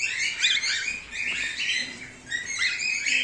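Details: Male emerald cockatiel, emerald carrying silver, over one and a half years old, giving continuous harsh, raspy chattering calls in noisy bursts with brief dips in between.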